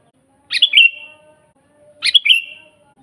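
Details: Natural sooty-headed bulbul song for teaching other bulbuls and luring wild ones: two rich, liquid phrases about 1.5 seconds apart, each a sharp note dropping into a warble and a drawn-out whistle; faint low tone behind.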